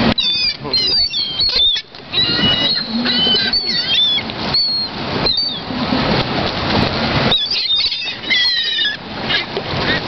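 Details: Gulls swarming over a downtown Orlando lake, a flock giving overlapping squealing and mewing cries, dense at the start and end, with a noisy stretch of wing flapping and background din in between.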